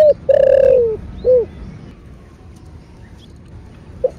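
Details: Spotted dove (cu gáy) with the thổ bầu voice style, used to stimulate other doves to coo. One phrase: a short note, a long hoarse coo drifting lower, then a brief final note. Near-silence follows, broken by one faint short note.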